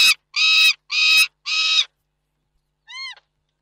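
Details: Peregrine falcons, Reda, Poland, 29 June 2024: four rough grating calls in quick succession, a pause, then a single thinner, clearer call.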